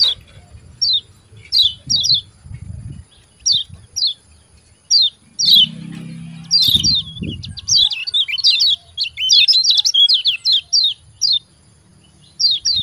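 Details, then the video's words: White-eye (kecial kuning) giving 'ciak ciak' calls, used to train and provoke caged birds that are reluctant to sing. Short, high, downward-slurred chirps come singly and in pairs, then in a dense rapid burst midway. Faint low rumbling lies beneath. "CIAK CIAK JOS KECIAL KUNING GACOR PANCINGAN KECIAL MALAS BUNYI RAJIN JOS GACOR"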